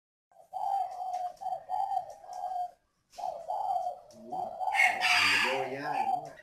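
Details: Old, experienced trained decoy spotted dove kept as a bird-trapping lure, giving steady mellow low coos in a long series, a short pause, then more cooing while a man talks over the last seconds.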